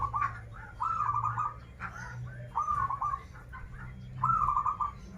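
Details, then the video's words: Zebra dove, local Banten bird, repeating short rippling coo phrases that dip at the end, three main phrases interleaved with quieter chirping notes and a low hum. "Perkutut lokal gacoran suara krital, warung kebek, dan suara aneh"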